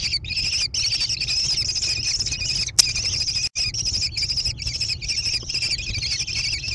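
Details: Nestling American kestrels in a barn-side nest box overlooking hilly meadows near Prairie du Chien, Wisconsin, June 2022; sustained harsh, hissing high-pitched calling with short gaps, one sharp click, steady low hum.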